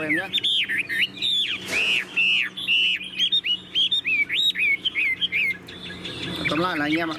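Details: Tame Chinese hwamei singing steadily in captivity: a string of bright, down-curving whistles delivered rapidly one after another, with a brief burst of noise midway and a trilled flourish at the end.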